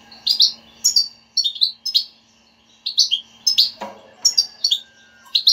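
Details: Goldfinch batbata, the chattering style played to coax a silent goldfinch into song: lively run of sharp chirps and twitters in quick succession, one harsh rasp near the end, over a soft steady hum.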